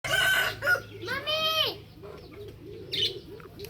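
A rooster crows: a rough opening burst, then a drawn-out, rising-and-falling note, followed by softer clucking sounds.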